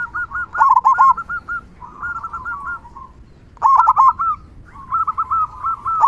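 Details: Zebra dove singing a big 'kung' song meant to excite and prompt other doves to sing: loud clipped opening notes, then rolling coo phrases, repeated in two main bursts with a gap between.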